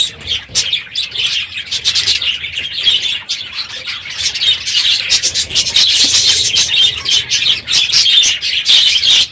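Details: Morning noise from a full aviary of budgerigars late in the breeding season, many birds chirping and chattering at once, building louder in the second half, with rapid, irregular high tweets.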